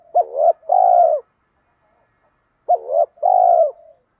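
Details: Spotted dove cooing, used to stimulate lazy caged doves into calling: two low cooing phrases, each a short wavering note followed by a longer, steady purring coo, with a pause of about one and a half seconds between them.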